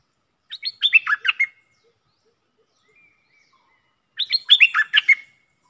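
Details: Red-whiskered bulbul caged as a decoy for luring utters two rapid, tumbling phrases of clear chirps and whistles, about three and a half seconds apart.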